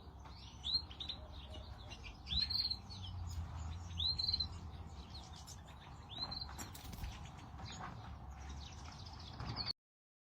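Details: European goldfinch giving clear, arched, high chirps about every one and a half seconds, mixed with softer twitters and some wing-flutter sounds, before the sound cuts off abruptly.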